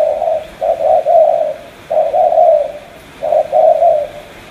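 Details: Spotted dove cooing, 'tú' type, from Cà Mau: three phrases, each a clipped opening note running into a rolling two- or three-beat coo, deep and mellow, with pauses of about a second.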